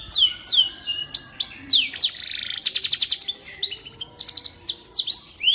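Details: Canary song meant for tutoring magpie-robins: downward-swooping whistles give way to a loud fast rattling trill, then more curved whistled notes and quick chips, high and sharp throughout.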